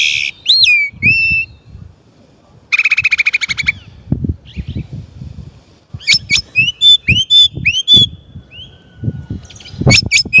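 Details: A Chinese blackbird sings a varied song: looping whistled phrases, a fast buzzy trill of about a dozen notes, then quick sweeping whistles and sharp high notes, with low background rumble throughout.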